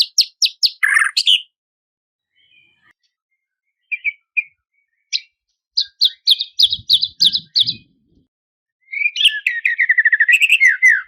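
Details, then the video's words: White-rumped shama singing a song meant to draw and provoke a rival: a string of quick chips, scattered soft notes after a silence, a run of evenly spaced sharp chirps, then a closing burst of fast descending warbles. "KICAUAN SUARA MURAI INI MEMANGGIL LAWAN, PANCINGAN AJAIB AUTO LAWAN EMOSI"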